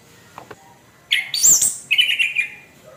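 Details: Caged orange-headed thrush giving a harsh song phrase: a loud rasping, scratchy burst followed by a lower buzzy, wavering note trailing off.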